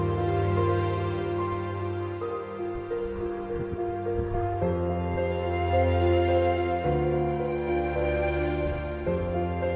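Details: Soft, sustained new-age music with held chords, a low droning bass and gentle shifting tones throughout, with no animal calls.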